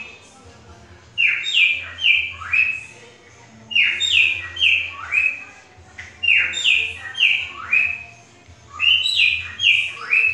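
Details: Cockatiel mimicking a green-winged saltator's song: four bright whistled phrases of three or four falling notes, each about two seconds apart, over a low steady hum.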